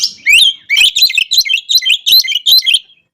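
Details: Oriental magpie-robin singing to provoke rivals: continuous loud bursts of sharp, high, warbling whistles, about ten rapid phrases delivered almost without pause, in a quiet setting.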